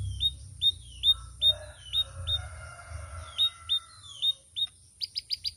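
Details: Canary song with loud, varied phrasing: sharp high chirps repeated roughly twice a second, a soft warbled passage in between, ending with a quick burst of four clipped notes over low background rumble.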